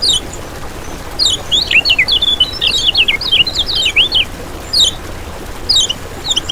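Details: Master song of the kecial kuning, a lure for trapping and for prompting other birds of its kind to sing nonstop: quick high twittering bursts of sharp up-and-down notes, a long run near the start, then shorter spaced phrases.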